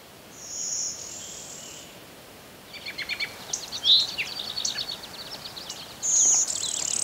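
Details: Blue-winged Warbler singing in thickets and meadows of Westmoreland County, Pennsylvania, near the Conemaugh River: a high, thin buzz held over a second and a half, then a second buzzy note near the end, with other birds chirping rapidly in between.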